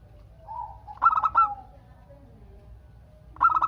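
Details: Zebra dove, a local perkutut singer, calling to draw other doves into answering; a soft lead-in coo, then a loud trilled burst of notes, followed by a fresh burst at the end over low rumble.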